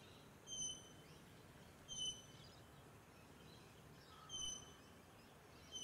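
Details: Australian wood duck (Chenonetta jubata) on the Sunshine Coast, Queensland, in September 2024 gives four brief, high, nasal mewing notes at uneven gaps of one to two seconds, over a steady background hiss.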